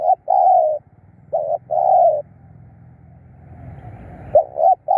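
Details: Decoy spotted dove used for luring wild doves: a repeated two-part coo, a short note then a longer mellow one, given twice, followed by a low rumbling background and a final quick pair of coos.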